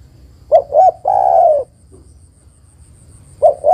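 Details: Female spotted dove calling for the male gives one full phrase of two quick coos and a prolonged dipping coo, then a quiet gap before the next phrase begins.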